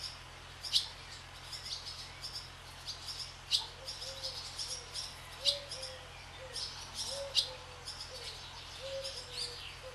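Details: Barn swallows skimming the sky above a swallow farm make frequent sharp high chirps and twitters, while lower, repeated soft cooing notes from another bird run through the background.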